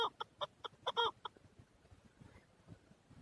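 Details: Male chukar partridge, Darvoz, Tajikistan, 2020: a short burst of six or seven loud, harsh clucks over about a second, then near silence with faint background rustling.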